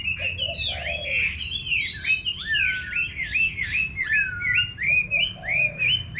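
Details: Loud Chinese hwamei song in a garden in the countryside, looping whistled phrases that swoop up and down in quick succession, with a couple of lower buzzy notes underneath.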